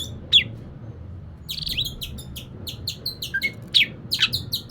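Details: Oriental magpie-robin lure song meant to set a reluctant bird singing: an isolated sharp note, then a lively run of quick chirps, slurred whistles and twangy notes, with a faint low hum beneath.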